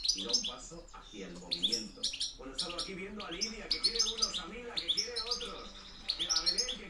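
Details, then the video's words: A European goldfinch gives its field-type 'reclamo campero' song, recorded 2013–2014: dense chattering twitters and sharp high notes, fast and continuous, with background music throughout. "JILGUERO RECLAMO 2013-2014 PEGANDO FUERTE CAMPERO"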